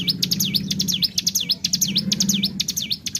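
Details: Bar-winged prinia, locally ciblek gunung, giving a lure song of bren-style pulls: a string of high, swooping V-shaped whistles in rapid succession, with a low steady hum underneath.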